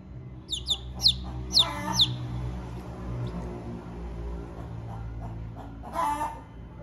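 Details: Chicken chick, hungry and calling its mother, gives four or five quick, high, down-slurred peeps at the start, then goes quiet over low room hum before one brief burst of noise near the end.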